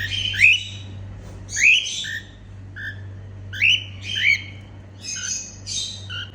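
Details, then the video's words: Cheerful female cockatiel calls: loud rising squawky chirps in pairs, separated by quieter short notes, over a soft continuous hum. "Female cockatiel singing & making happy sounds"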